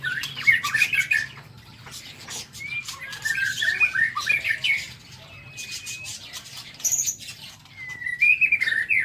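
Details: Aviary White-rumped shama's morning song, bursts of rich chattering warbles alternating with long level whistles, a high brief trill, and a closing warbled flourish, over a low hum and scattered clicks.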